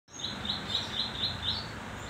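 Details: Young velvet-fronted nuthatch, a hand-fed fledgling just learning to perch and sing, giving a steady series of six short high notes about every quarter second over constant background hiss.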